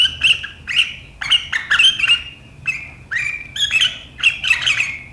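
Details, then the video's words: Kutilang or sooty-headed bulbul chattering riwikan-style on 7 April 2023, a sharp sound said to get rivals singing: quick bubbly slurred chirps, about two to three per second, rising and falling steadily throughout. "Suara burung KUTILANG GACOR RIWIKAN yang tajam membuat lawan ikutan ngeriwik"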